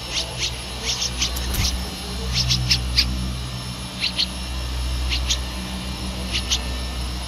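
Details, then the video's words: Streak-eared Bulbul chick aged 13 days, Ubon Ratchathani, Thailand, 15 April 2023; scattered high thin calls, often paired, come every second or so, with a steady low hum underneath. "นกปรอดสวน อายุ 13 วัน : Streak-eared Bulbul (Pycnonotus blanfordi)"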